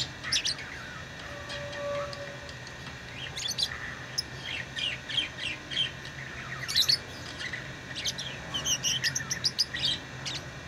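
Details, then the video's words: Tamed pet lovebirds: a quieter opening, then growing bouts of high, scratchy chirps and twittering squeaks that thicken toward the end, over a low hum. "Love birds beautiful Love ❤️ | chirping sounds"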